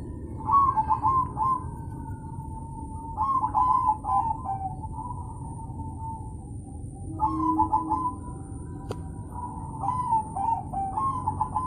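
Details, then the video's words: Crossbred zebra dove, described as very vocal, singing: mid-pitched cooing phrases with quick trilled notes, given in bursts about every three to four seconds over a low steady rumble and a faint continuous high-pitched whine. "Prekutut crosing Gacor Banget"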